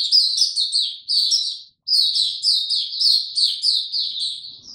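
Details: White-eye held captive, no supplements, singing on 29 April 2022: clean, rapid high-pitched chirping phrases of falling notes, one brief silent break, otherwise quiet background.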